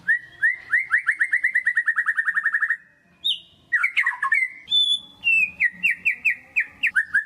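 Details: White-rumped shama lure song for rousing quiet birds: a long, rapid trill of about twenty repeated whistled notes, then harsh, tumbling notes and a series of bright, evenly spaced whistles.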